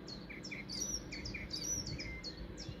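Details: Song thrush singing in Weston village on 30 April 2023, a rapid run of sharp, bright chirping notes, high and clipped, over a steady low background rumble.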